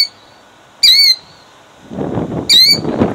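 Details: Two strident, high, slightly descending cries from a female killdeer protecting her eggs in Jackson, New Jersey, 2008, separated by a pause, with rustling and handling noise toward the end.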